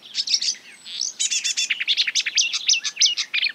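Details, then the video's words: Rapid mimicry by a marsh warbler (Acrocephalus palustris) imitating other birds, with twittering chirps, a quick buzzy trill and sharp repeated notes in quick succession. "A marsh warbler (Acrocephalus palustris) imitating other birds"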